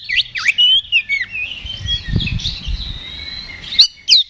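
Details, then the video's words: Singing Oriental magpie-robin in combative ngeplong style, meant to trigger a reply: opening swooping whistles, then a long flowing stretch of soft warbles and level whistles, ending with two sharp rising notes; faint low thuds behind. "KACER GACOR NGEPLONG TARUNG !! PANCINGAN KACER PALING AMPUH BUAT MENAIKAN EMOSI KACER AUTO RESPON"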